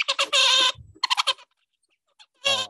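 Zebra finch song: rapid nasal, buzzy syllables rich in harmonics, delivered in quick bursts with brief pauses between them.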